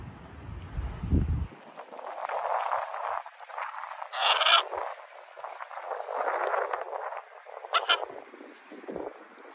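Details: Young second-generation hybrid Catalina macaw, out at a park during harness training, gives rough, raspy squawks and grumbling chatter in uneven bursts, with a louder sharper squawk midway; a low thump opens.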